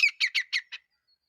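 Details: Female grey francolin calling, with a male standing nearby: a quick burst of five harsh, squeaky notes over under a second, each dropping in pitch, the last fainter.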